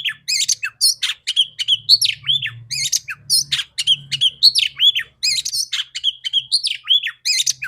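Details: Female oriental magpie-robin kept to encourage male singing, delivering a nonstop stream of bright whistles, downward slurs and scratchy notes in quick succession, loud and varied.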